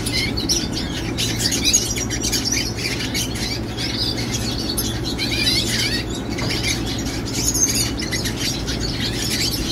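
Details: Teen red siskin in song, delivering a dense, fast run of twittering, chirps and buzzy notes without pause, over a constant low electrical hum.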